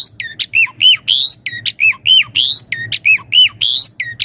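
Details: Steady 'gacor' Javan pied starling song with 'isian mompa' variation, meant as a master and lure recording: the same cycle of loud rising whistles and curling notes repeats rhythmically, a few times per second, against a faint hum.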